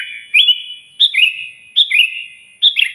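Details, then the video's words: Loud sooty-headed bulbul song used to call out a rival, four quick bubbly phrases, each a rising then falling warble trailing into a ringing echo, about one phrase per second; a thin constant high tone sits behind. "suara burung kutilang gacor keras, paling ampuh memanggil lawan auto emosi"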